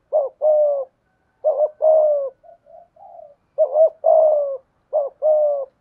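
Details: Spotted dove kept as a decoy bird, with a 'thổ' style voice. It gives low two-part coos, a clipped double note and then a drawn-out falling note. Softer short notes fall between the phrases, and the background is silent.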